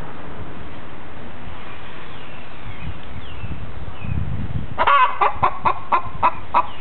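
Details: Hen standing on a chicken gym and calling while another hen lays an egg: a low rumbling background for several seconds, then a burst of loud, evenly repeated clucks with a sharp attack, about four to five per second.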